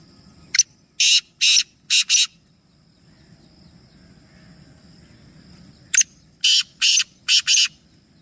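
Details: Three black francolins; a harsh, grating phrase of a short clipped note followed by four loud rasping notes, repeated after a pause over a faint low rumble.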